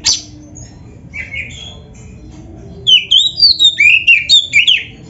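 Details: Oriental magpie-robin in full gacor isian song: a sharp opening note, soft warbling, then a loud burst of looping whistles swinging between high and lower pitch about nine times.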